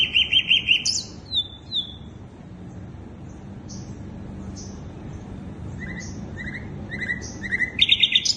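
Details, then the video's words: Song of a sikatan londo flycatcher, used as a bird-attracting lure: a rapid high trill and quick sliding notes, scattered faint chirps, then short dropping whistles building into another dense buzzy trill. "Pancingan burung sikatan londo"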